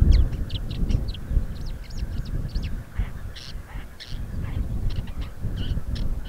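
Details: Woodchat shrike, a very rare visitor to Crimea, one of two males and a female seen there; scattered short high chirps and whistled notes in quick varied sequence over strong low wind rumble.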